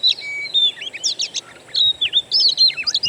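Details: Wild birdsong used as a lure for a kept Oriental magpie-robin: clear whistles, including a low flat note, then quick looping phrases in short separated bursts over faint background hiss.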